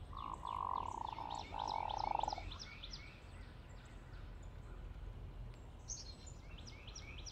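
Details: Two low, rolling, frog-like croaks, each about a second long, the typical grunting of a flock of hooded mergansers. Thin high chirps from other birds carry through the whole recording.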